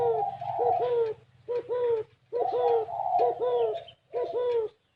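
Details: Two voices of spotted dove cooing in the gù kích bổi style: short, hollow triple coos alternate with longer, higher, wavering coos, the phrases separated by brief pauses.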